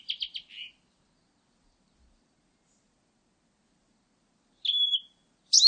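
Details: A Blue-and-white flycatcher gives four quick buzzy notes, then a silence of about four seconds, then a steady flat whistle and the start of a sharp high note at the end.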